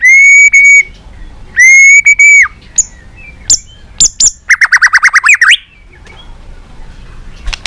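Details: White-rumped shama singing in many voices, used for training and stimulating other shamas to sing: loud, pure whistled notes held near one pitch, short high upslurs, then a fast run of ringing descending notes ending in a rising slur.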